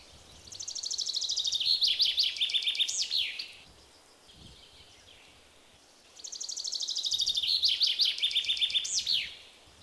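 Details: A common chaffinch sings two bright, ringing phrases about three seconds apart, each a fast run tumbling down the scale to a flourish, in the morning chorus of an open hornbeam forest.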